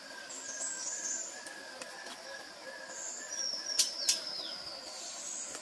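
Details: Rufous-breasted flycatcher (Leptopogon rufipectus) call: thin, very high whistled notes drift and repeat over a steady background hum of other birds and insects, with two sharp ticks near the end.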